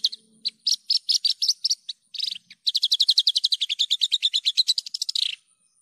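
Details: Javan bush lark singing energetically for a training recording: separate chirps, then a long fast rhythmic trill of about twenty-five notes lasting over two seconds, with a faint low hum at the start.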